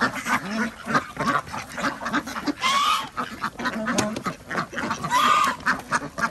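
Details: Farm ducks in Andhra Pradesh calling at feeding time, with rough overlapping quacks throughout and two louder rising, honk-like calls standing out near the middle and end.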